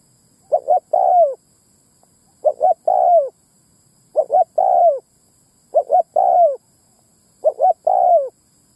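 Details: Repeated spotted dove coo phrases used as a decoy to attract both sexes, five times over: two clipped coos and a longer hoarse coo dropping in pitch, steady rhythm, clean quiet background.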